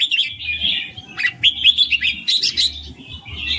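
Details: Red-whiskered bulbul performing its 'ring' song: rapid, liquid chirps and short whistled slurs packed into a continuous chattering stream, with a faint low droning hum behind.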